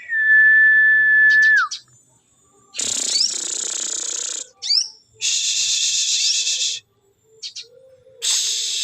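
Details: Crested jay call used to lure other birds: one long steady whistle ending in a quick drop, followed by three loud, harsh, hissing bursts of roughly one to two seconds each, separated by short gaps with brief clicks.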